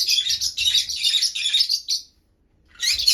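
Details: Excited pet green-cheeked conure in the morning, extremely loud: rapid, harsh, high-pitched chattering screeches in a continuous two-second burst, a brief pause, then the scratchy calls resume.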